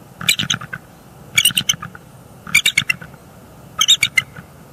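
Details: Wild bald eagle in northeast Florida, January, calling at night while defending eggs and nest against an unseen threat; four quick bursts of high, squeaky staccato chatter with short gaps between them.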